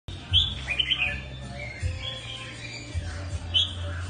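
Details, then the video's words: Mutant red-whiskered bulbul singing: a few short, clear whistled notes, some rising and some falling, spaced irregularly over a steady low hum. "Chào mào đột biến hót hay"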